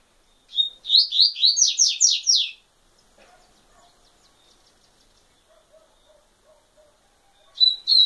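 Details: A double-collared seedeater delivers a rapid phrase of about eight loud, ringing downslurred notes, then goes quiet apart from faint distant chips and soft low tones, before beginning another phrase at the very end.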